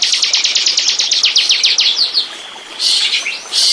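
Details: Bar-winged prinia song from a bird-luring recording: a quick series of about fifteen sharp, high, clipped notes, fading into a softer trill, then a few bright chirps.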